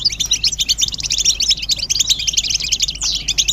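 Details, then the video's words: Several European goldfinches twittering together, described as mating calls that rouse males to sing: a continuous tangle of quick, sharp, tinkling notes with no gaps. "بتبتة الحسون تحفيز الحسون على التغريد والهيجان علاج صمت الحسون goldfinch stimulation"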